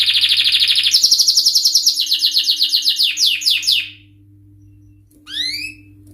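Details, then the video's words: Canary pouring out a fast buzzy trill that rises into repeated falling whistled slurs, slowing and fading out, followed after a pause by one short rising whistled phrase. "Canary singing"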